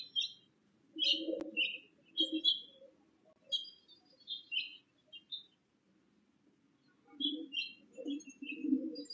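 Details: Bewick's wren at a nest box while bringing nesting material: a series of short, high chirps and sharp tweets in scattered bursts, over a low background rumble.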